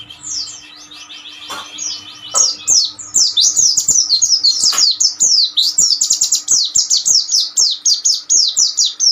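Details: Oriental white-eye master song in ombyokan style for tutoring young birds: softer twittering at first, then loud, rapid, high chirps sliding downward in a continuous energetic chatter for the remaining seconds.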